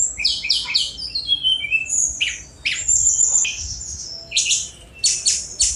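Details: Sunda robin (tledekan gunung) singing a fast 'speed mewah' style song: rapid high whistles and buzzy descending slurs in quick bursts, several sharp high notes near the end, quiet background.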